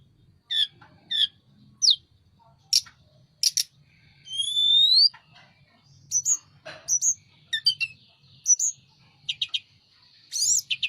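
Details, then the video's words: Sunda robin, known as mountain tledekan, singing hard while spreading its wings: scattered sharp chips, a rising pair of pure whistles, then varied quick notes and squeaky slurs with short pauses between. "Burung Tledekan gunung gacor buka sayap"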